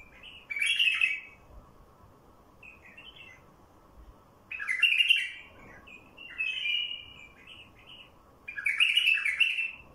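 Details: Song of a wild bulbul used to attract wild bulbuls: three loud, rich chattering phrases spaced about four seconds apart, separated by quieter fluty notes, with a constant low hum underneath.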